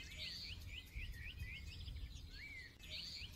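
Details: Forest birds singing in a chorus: short upslurred whistled notes repeat steadily while a higher, thin warbling phrase comes and goes, all over a constant low rumble.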